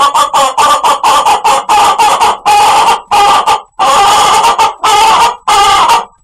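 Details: Chicken making a weird, funny call: loud harsh nasal squawks in rapid uneven bursts, about eighty-eight a minute, some clipped short, others drawn out, with brief gaps between.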